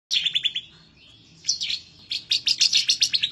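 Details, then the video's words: Bar-winged prinia (ciblek semi) singing excitedly and fiercely as if seeking a rival: rapid bursts of sharp high chirps, a pause with a thin faint note, then a denser run of quick chirps. "Ciblek Semi, Gacor nembak ngebren ngotot emosi"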